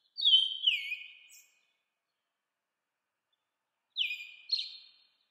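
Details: American robin with a long, gliding, whistled phrase that falls and then dips, a gap of silence, then two quick, clear, descending whistled notes.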